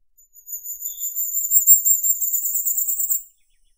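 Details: Firecrest (Regulus ignicapillus) singing: a very high, thin, sibilant series of rapid notes, swelling in loudness and speeding slightly, lasting about three seconds, with no other sounds.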